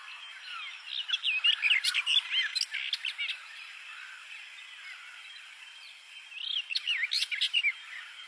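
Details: Bluethroat singing: two bursts of rapid, varied twittering with slurred whistles and sharp high ticks, separated by about three seconds of quieter background hiss.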